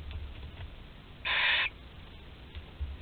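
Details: Webcam nest in Théding, France, 20 July 2020: a 13-day-old barn owl chick able to gulp prey whole gives a single loud, noisy hiss against a low hum.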